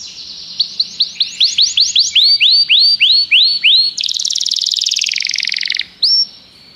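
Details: Canary repeating swept whistled notes that grow louder, then a long harsh buzzing trill and one last whistle.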